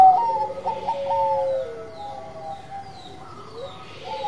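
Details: Zebra dove of the Bangkok type singing: a mellow cooing phrase of short notes ending in a long level coo, fading into quieter distant coos over a soft background hiss.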